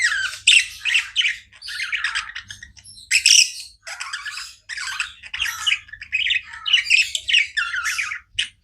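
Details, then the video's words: Non-stop budgie chirping, a steady run of buzzy, grating warble bursts and high twittering notes with only short breaks between phrases. "Budgies non stop chirping sounds"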